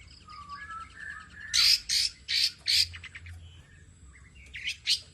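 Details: Tame long-tailed shrike, a champion bird in full mimicry song with rapid 'nembak' bursts, used to prompt and tutor other birds: a low whistle gives way to four loud, harsh high bursts near the second mark, then softer chatter and a final burst.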